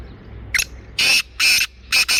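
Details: Black francolin calling in Sindh, Pakistan: a brief scratchy opening note, then loud rasping, buzzy notes spaced roughly every half second, the final pair nearly joined, with low background hiss.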